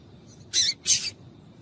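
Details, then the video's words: Double-collared seedeater female calling, a sound meant to excite males into song: two quick, high, scratchy chips a fraction of a second apart, with steady faint background hiss. "Piado de Fêmea de Papa capim Pra Esquentar Papa capim"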